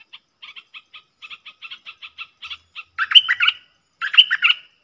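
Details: Wild southern dok taeng bulbul singing back at a caged decoy bird from a distance; evenly spaced ticking notes about once a second, building to two loud, rich, bubbling warbled phrases.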